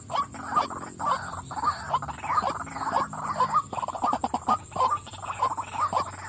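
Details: Female white-breasted waterhen calling, a busy run of harsh, croaking notes that tumble over one another with uneven spacing, with a steady faint hum underneath.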